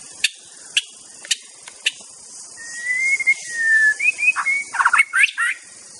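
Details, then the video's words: White-rumped shama in the wild: isolated sharp clicks, then long smooth whistles and a quick tumbling series of varied whistled notes. "Latih EMOSI Murai Anda Dengan Kicau KHAS Murai BATU di ALAM LIAR GACOR Full + Bongkar ISIAN"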